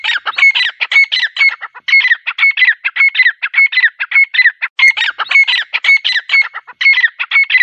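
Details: Teetar, the grey francolin, in a rapid chattering series of shrill, grating notes repeated in quick rhythmic phrases. Short gaps come near 1.8 and 4.8 seconds, and the calling resumes at once each time.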